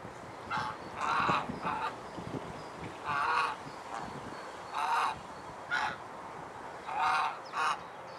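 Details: Domestic swan geese in Alkmaar, Holland, calling with loud nasal honks, single and doubled, spaced a second or more apart, at moderate distance over a steady background hiss.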